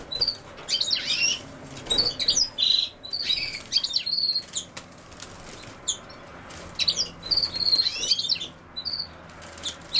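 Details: Goldfinch song among common sowthistle: scattered bursts of high, tinkling chirps and quick slurred twitters, with brief tonal buzzes, uneven in spacing and loudness.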